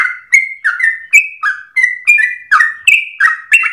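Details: Yellow-vented bulbul in loud, persistent full song with long breath and rapid rolled phrases, a style meant as an easy model for trainee bulbuls to copy: quick whistled notes alternating high and low, about three each second, with no other sounds.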